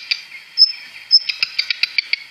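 Black Redstart giving two thin, high whistled notes, then a quick run of dry ticking clicks, about six or seven a second. No other sounds stand out.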